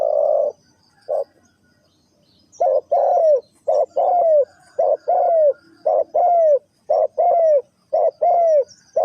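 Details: Spotted dove giving its '3 kuk hoi' coo: an opening long coo, a pause, then a run of paired notes, each a clipped hoot and a drawn-out falling coo, evenly spaced.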